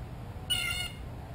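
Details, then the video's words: A single loud, nasal, harmonic call from a blue jay very close to the microphone while looking for a peanut. It lasts under half a second against a quiet hum. "Amazing Blue Jay Calls - Up Close and Loud"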